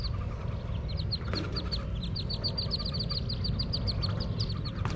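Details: Wood duck ducklings, heard from below the nest box as they jump out, give thin, high peeps, several each second, in a busy overlapping stream over a steady low wind rumble.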